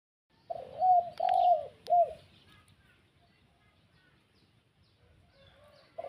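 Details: Spotted dove used as a lure to call in wild spotted doves: one phrase of three mellow, low coos, the middle one longest, then quiet with faint background chirps.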